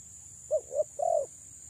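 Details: One brief phrase from a female spotted dove luring males: two short low hoots, then a single longer mellow coo sliding downward, against a faint steady hiss.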